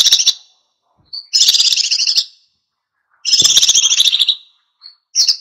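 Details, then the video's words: Oriental white-eye in wild-style full song, used to provoke other birds into singing: two dense, buzzy, high twittering bursts about a second long, each with a brief thin note before it. "SUARA PLECI GACOR NGALAS PANCING EMOSI BURUNG LAIN IKUT GACOR"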